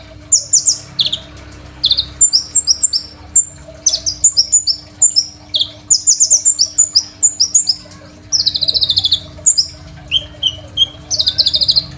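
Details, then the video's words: Long run of vigorous Crimson sunbird song, packed with varied fill-ins and meant as a training master for young birds, phone-recorded: rapid high twitters, repeated thin whistled notes and buzzy trills in dense phrases. "KOLIBRI NINJA GACOR FULL ISIAN SUPER MEWAH, 100% COCOK BUAT MASTERAN KONIN BAHAN"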